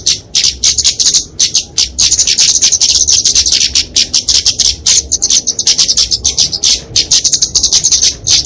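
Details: Kemade, a small flowerpecker of genus Dicaeum, in fighting song used as a lure and tutor for songbirds; intense high twittering with rapid ticking pulses, nearly nonstop, louder in a steady run through the middle.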